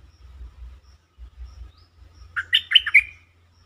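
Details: Bulbul lure song meant to excite birds, a pleasing melodic style: soft low thumping at first, then a clear phrase of four to five fluty, warbling notes toward the end.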